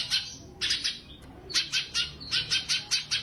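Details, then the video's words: A Sumatran leafbird, recorded as training audio for competition birds, gives 'tembakan' phrases: short bursts of sharp, high chirps, then a gap, then quick stacked notes repeated about every quarter second. "burung Cucak CUNGKOK Gacor Tembakan Istimewa Masteran Burung Lomba"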